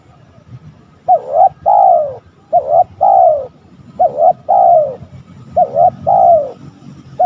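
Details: Spotted dove, used as a lure to provoke rival males: four mellow phrases, each a quick doubled coo followed by a long, falling, purring coo, roughly one every 1.5 seconds, over a low background rumble.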